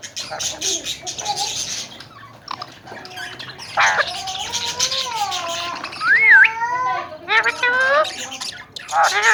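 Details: Tame, talking Alexandrine parakeets, several birds kept in Pakistan, produce wavering nasal chatter and a bright swooping whistle, then bursts of squawking, over a background of soft rustling.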